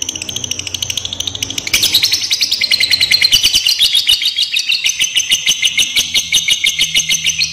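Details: A lovebird gives a long, shrill chattering trill ("ngekek panjang") of rapid high notes, about three a second, running unbroken throughout; used as a lure call to provoke other lovebirds.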